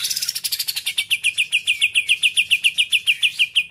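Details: Greater green leafbird kept as a contest songbird, delivering a rapid train of crisp high chirps, each a quick downward flick, repeated about three to four times a second and steady throughout.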